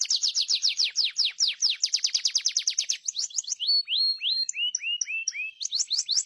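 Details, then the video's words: Atlantic canary song made of rapid repeated descending whistles that give way to slower upswept whistled notes, then quick trilled phrases, all high-pitched and continuous. "Master burung kenari||insha allah langsung gacor"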